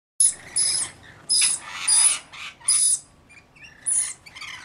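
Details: Rainbow lorikeets, part of a mixed flock of about 40 caring for a single baby, give harsh, broad screeches in about five uneven bursts, each topped by a thin high whistle, with a faint chirp between them.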